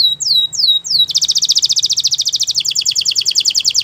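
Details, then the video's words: Spanish Timbrado canary gives three slow sweeping whistles, then bursts into a very fast, loud, bright trill of repeated notes that runs to the end. "Melodies canary bird song | Spanish timbrado singing"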